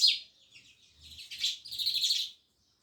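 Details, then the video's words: Loud sparrow chirping: a dense burst of overlapping high, twittering chirps, as if several birds call at once, then the chorus stops abruptly. "Sparrows Loud Chirping Sounds"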